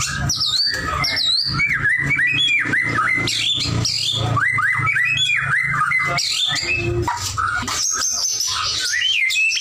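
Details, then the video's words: Singing white-rumped shama delivers varied whistled notes, some sweeping up and down, others short and sharp, against steady low rumbling noise. "murai batu gacor"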